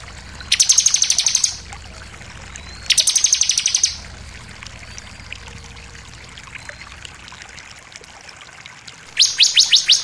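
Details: Bar-winged prinia song used to provoke other birds to sing: three separate bursts of rapid, high buzzy trills, each about a second long, with quiet gaps and faint hiss between them.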